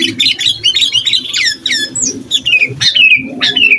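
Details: Lively sooty-headed bulbul song that provokes rival bulbuls and serves as a tutor recording: dense bursts of sharp chirps, then long descending slurred whistles repeated twice.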